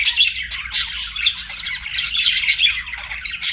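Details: Pet budgies singing and chirping: dense, continuous warbling chatter of buzzy squawks and bright chirps, several birds overlapping without pause.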